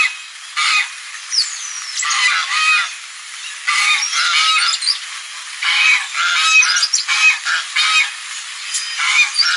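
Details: Geese calling on a lagoon: bursts of harsh, nasal honks in irregular runs, with short pauses between, and thin whistled notes from other birds in the background.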